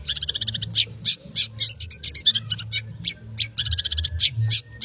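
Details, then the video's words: Long-tailed shrike giving dense, fast 'konslet' song, with quick rattling runs mixed with loud squeaky, grating notes, delivered in uneven rapid phrases. "Cendet konslet gacor speed rapat"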